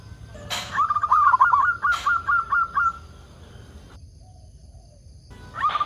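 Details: Local zebra dove used as a lure to set other zebra doves singing: a run of about ten quick, regular coos framed by two sharp knocks, then a silent gap, another knock and a fresh coo phrase.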